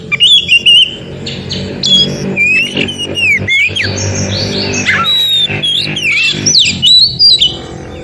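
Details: White-rumped shama (kacer) song, described as an original forest recording used to stimulate silent shamas to sing: rich whistled phrases sliding up and down with sharp high chips, some low hum and traffic-like rumble beneath.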